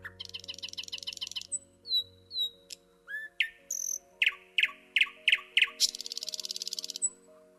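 A Common Nightingale sings a loud, varied phrase: fast repeated rattling notes, pure whistles, sharp clicks, then a rapid churring trill. Soft steady music hums underneath.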